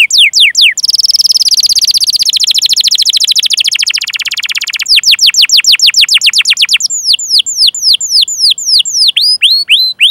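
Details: Canary song used as a training recording to prompt young, developing or silent canaries to sing: long runs of clear descending whistled sweeps alternating with rapid buzzy trills and fast chirping rolls, loud and continuous.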